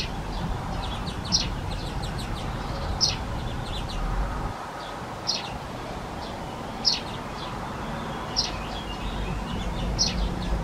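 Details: Begging of European greenfinch (Chloris chloris) fledglings accompanied by both parents, male and female present; bright high chirps repeated roughly every one and a half to two seconds, with fainter twittering between, over low background rumble.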